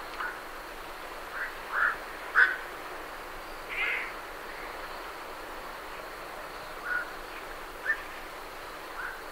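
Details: Night herons leaving the roost give scattered hoarse, barking single croaks at uneven intervals, with quieter gaps between them and great reed warblers chattering faintly behind.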